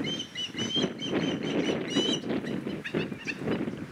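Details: Recently fledged young osprey begging its father to share his catch, while the mother and the other fledgling fly around; repeated thin whistled chirps, some rising, over steady low rushing background noise.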